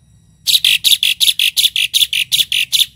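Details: A tame Asian pied starling delivers its 'isian' song as a quick, regular train of about twelve loud, grating, buzzy notes after a brief quiet start.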